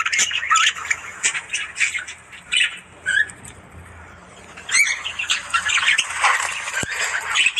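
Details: Budgies in the morning give scattered squawks and short chirps, loud at the start and end with a quieter stretch in the middle, plus a faint low hum.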